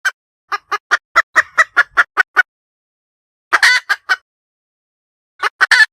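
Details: Hen cackling: quick runs of short, harsh, evenly spaced clucks, each broken off sharply, in three bursts separated by brief silences.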